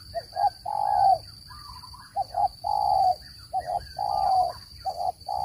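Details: Spotted dove call, played for trapping birds, a clean standard voice: low hollow coos in short paired notes and longer drawn-out notes, phrases grouped with brief pauses, over a faint steady high whine.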